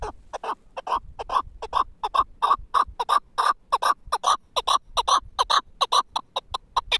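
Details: Caged Pamir chukar partridge, four years old, a tethered hunting bird, repeating rhythmic chuk notes that start softer and grow louder and denser, about two and a half per second.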